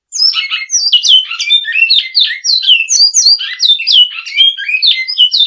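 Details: A great-billed seed finch sings its classic song, bright, fluty whistles and quick warbles strung together without pause, each phrase sliding downward before the next begins.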